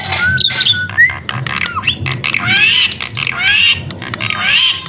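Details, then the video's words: Tame kept black-winged starling (jalak kebo) singing busily, with rising and falling whistled slides mixed with harsh chattering notes in quick irregular bursts, and faint music underneath. "Burung Jalak Kebo Gacor & Jinak"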